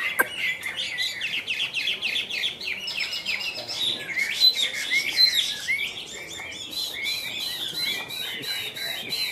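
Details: Chinese hwamei in captivity pouring out an energetic song of looping whistled phrases, bright upslurs and quick twittering notes, shifting pattern every second or so, with sharp ticking notes near the end.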